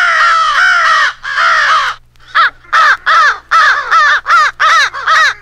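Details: American crows massing against an owl, their rally call edited into a crow-hunting fight sequence: two long grating caws, then a quick run of short, sharp caws repeated about every half second.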